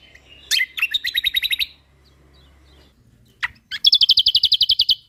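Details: Lombok white-eye (kecial kombok) recorded for training other songbirds, singing busily. Sharp chips lead into a quick high trill. A near-silent gap follows, then a single upsweeping note and a loud, fast run of bright repeated notes.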